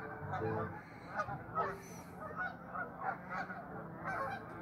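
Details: Many restless geese call at once, with choppy overlapping honks forming a constant chatter and short emphatic bursts breaking through every second or so.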